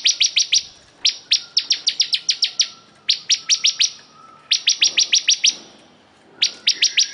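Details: Singing vigorously, a crystal ciblek, the bar-winged prinia, delivers repeated bursts of five to ten piercing, high, clipped notes in quick even series, with short silent gaps between bursts and faint low background hum.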